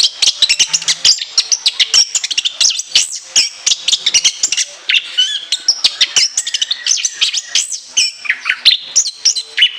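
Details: Long, dense song of a caged orange-headed thrush, stuffed with imitated phrases and piercing high shots: nearly continuous rapid chirps, trills and whistled notes for ten seconds.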